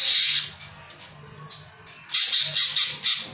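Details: Jamtrok-style song of a greater green leafbird with kingfisher (tengkek) fill-ins: a sharp high trilled phrase, a quieter gap, then a series of five or six piercing, evenly spaced high notes.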